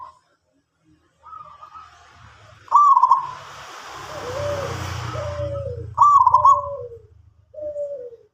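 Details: Local zebra dove singing actively: soft cooing phrases, some trilled and level, others lower and falling, spaced a few seconds apart over a steady low rumbling background noise.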